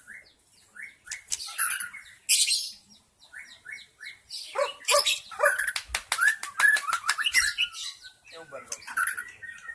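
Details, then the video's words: Wild white-rumped shama song for luring wild birds: short repeated whistled notes, rapid clicking bursts and harsh noisy notes, growing into a busy, energetic stretch of mixed phrases. "SUARA PIKAT MURAI BATU ASLI HUTAN 100% MEMIKAT MURAI BATU AGAR GACOR"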